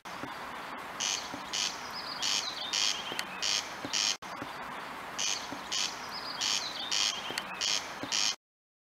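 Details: A corn crake at Østensjøvannet in 2015 gives its dry, rasping double crake, repeated about every half second, over a steady background hum and a few thin bird notes.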